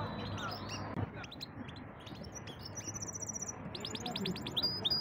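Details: Singing canary, called a champion bird, giving varied high chirps and upswept whistles, then a fast rolling trill and rapid repeated notes near the end, over low background hum.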